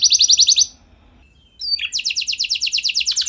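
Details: Canary in full song, used as a lure for other canaries: a short rapid trill, a near-silent gap, a few quick sliding notes, then another fast, even trill of high notes.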